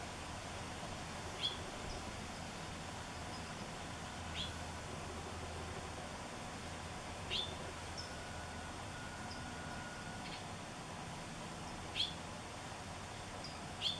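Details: Hooded oriole (Icterus cucullatus) calling and preening in a Washingtonia robusta palm in Bonsall, giving short, sharp rising notes every few seconds over a steady low outdoor hum.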